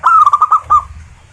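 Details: A short phrase from a local zebra dove: five quick, clear cooing notes run together, then a single separate coo, sung to prompt other zebra doves to sing.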